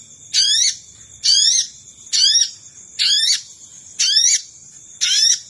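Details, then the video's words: Wild-bird lure call of the Sogon: six harsh, buzzy bursts of rising stacked notes at a regular pace of about one per second, over a persistent high-pitched hum. "Suara Pikat Burung Sogon"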